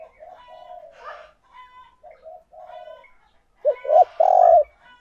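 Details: Spotted dove used as a decoy, calling to draw in wild doves. Soft, drawn-out coos at first, then a loud, hollow two- or three-note coo burst near the end.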